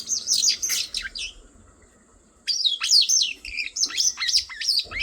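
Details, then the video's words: A bird chirps in quick bursts of high, sweeping notes, falls silent for about a second, then resumes with rapid, squeaky twitters. "bird chirping"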